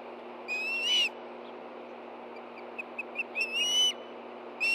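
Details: Osprey nest at Hellgate Canyon, Montana, morning of 24 August 2013, with two hungry birds reacting to an arriving fish; three drawn-out shrill whistles separated by a scatter of faint short chirps.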